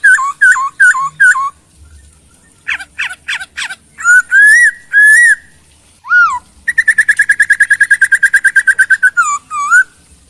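A Chinese hwamei sings loud, clear whistled phrases, swooping slurs and a fast run of about twenty repeated notes, all rich and varied.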